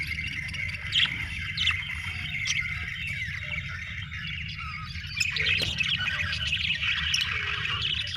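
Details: Budgerigars chatter in a dense, scratchy warble with occasional squawks, growing louder and busier after the midpoint, over a steady low hum.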